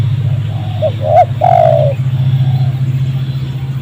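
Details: Spotted dove during trapping with a decoy in a rubber plantation near a settlement. A single phrase of hooked coos ending in a long falling note, under a loud low rumbling drone.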